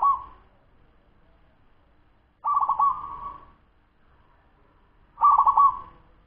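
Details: Wild-type local zebra dove, ten months old, singing a fast song: three separate mellow cooing phrases, each with a stuttering trilled start, spaced about two and a half seconds apart in quiet surroundings.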